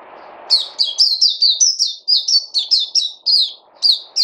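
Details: ['A bird sings a steady chain of loud, high, slurred chirps, roughly four each second, after a brief quiet start with low murmur.']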